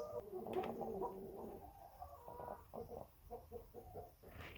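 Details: A sick hen, quarantined on a farm in Portugal, makes short, wet, rattling, phlegmy clucks and gurgles about twice a second, suggesting much mucus, over low background noise.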